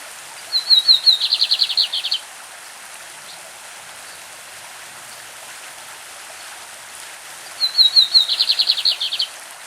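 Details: Champion lined seedeater from Brazil singing its classic song beside a stream: two phrases about seven seconds apart, each opening with short thin whistles then a fast, high buzzing trill, with constant running-water hiss behind.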